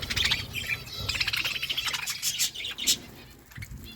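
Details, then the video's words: Budgerigars eating food while calling in quick, bright, high chirps and warbles that crowd together, loudest early and easing toward the end. "Budgies eating food birds chirping sounds"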